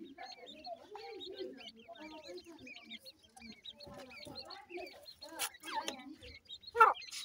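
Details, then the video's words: Several francolin chicks (teetar) peep together: short, soft, downslurred and arched chirps in a steady jumble, with higher thin notes mixed in and a louder sharp call near the end. "teetar bachy ki awaaz,Teetar Chicks Sounds, baby titar sound"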